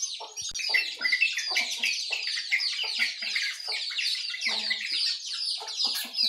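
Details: Morning chorus of wild birds including jongkangan, trucukan and pleci (white-eye): dense, overlapping high chattering and twittering notes with quick trills, continuous throughout with many callers at once.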